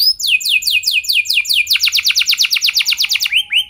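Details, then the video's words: Canary song used to spur other canaries into long singing: rapid trills of high downward-sweeping notes, first slower sweeps then a fast dense rattle, ending with rising upslurred whistles. "Kenari Gacor Lagu Mewah! Buat Kenari Mana Saja Bakalan Langsung Ikut Gacor Panjang"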